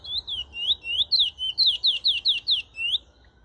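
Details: Bullfinch recorded in Trinidad, giving a lively string of about ten sweet whistled notes, each slurring sharply down or up, delivered in quick succession for three seconds before stopping; quiet background.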